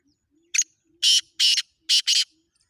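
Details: Black francolin giving a grating call: a sharp short note followed by four loud, harsh, buzzy bursts in a quick uneven rhythm over about one and a half seconds, with faint low hum between.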